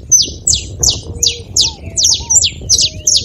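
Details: Steady run of bright, piercing chirps from a saffron finch, each a quick downward slur, evenly spaced through the phrase, while thin low whistles drift in the background.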